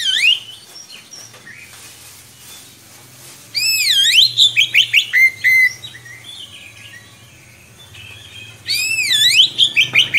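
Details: Oriental magpie-robin, gacor bird with long rolling song for tutoring young magpie-robins: two loud bursts of swooping whistles and rapid chirps separated by a quiet stretch of faint distant notes and low hum.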